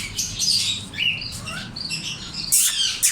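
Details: Grey parrot (Psittacus erithacus), calls.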